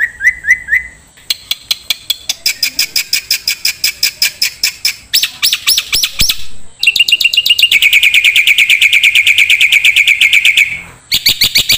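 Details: Black-winged starling song for training songbirds, varied throughout: a few rising whistles, then a run of dry clicks, bright chattering notes, and a long fast trill that ends abruptly before more quick chirps.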